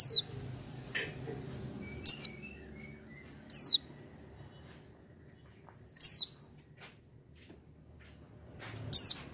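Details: An Oriental White-eye sings with open beak, giving thin, very high, quickly falling twittered notes in brief bursts every two to three seconds, over a low background hum.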